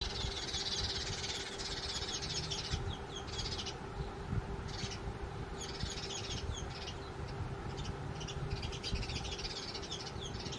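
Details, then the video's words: House sparrows that quickly took over a cardboard nest box chirp in rapid, high bursts through most of the stretch, with short pauses between clusters, over a steady low hum and a faint constant drone. "House Sparrows Quickly Occupied Nest Box | Sparrows Chirping Sounds"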